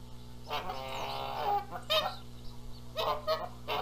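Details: Canada geese at a nest at Rogers Place, Charlo, Montana, in April, squabbling over who sits on the eggs while the gander flies in noisily; harsh honks and a long harmonic grating call, with hum in the background.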